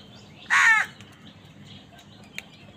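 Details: Angry crow fighting with wild birds over food gives one loud, harsh, hoarse caw lasting about a third of a second. Faint chirps from other birds and a brief click sound in the background.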